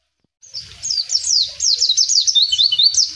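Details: Wild white-eye singing in the ngalas style, vigorous and nonstop: a rapid chain of thin, very high whistled notes, each sliding quickly down, run together into a bright twittering stream after a short silent start.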